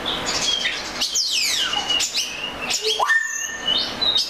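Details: Short, rich passage of Oriental magpie-robin song: sweeping descending whistles, sharp chirps and a clear rising note.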